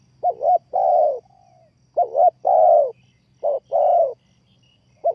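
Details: Spotted dove used as a trapping lure, calling in close, loud phrases: a quick double note, then a long hoarse coo that trails off, repeated three times.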